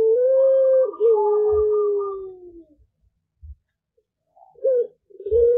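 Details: Morning cooing of a young puter pelung turtle dove answering other doves: one long, low, even coo held over two seconds and sliding slightly down, then brief wobbling coos after a pause, with soft thuds.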